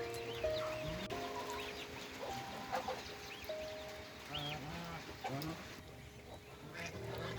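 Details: Geese at a farm on a rainy day, drinking, playing and spreading their wings in the rain; short nasal arched honks come in scattered bursts over steady background music.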